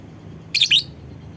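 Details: Lovebird call used to prompt other lovebirds to call along: a single harsh, high chirp of two quick notes, loud against a quiet, low hum.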